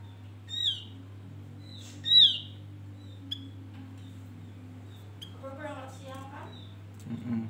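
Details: Recording of a male Javan grey-throated white-eye used as a bird lure: two loud descending whistles in quick succession, a few softer notes, then a lower chattering phrase, with a steady low hum throughout.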